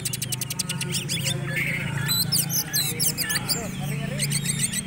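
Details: A kept Oriental magpie-robin, a competition bird, sings a rich, varied string of sharp whistles, rapid trills and chattering notes over a steady low hum while people nearby talk about it.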